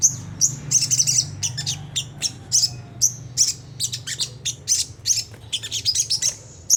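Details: Harsh high chips of a Sunda whistling thrush in 'ngriwik' style, a lure to make caged birds sing: short scratchy bursts repeated every third of a second or so, separated by brief gaps, over a low hum.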